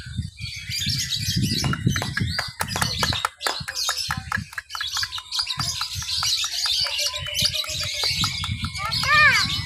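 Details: Lovebird in a mixed-class practice singing contest in Papua, Indonesia, 31 October 2021, chattering (ngekek) while creeping along the cage bars. A busy stream of sharp high chirps and ticks ends in a short run of looping whistles, with low background rumble.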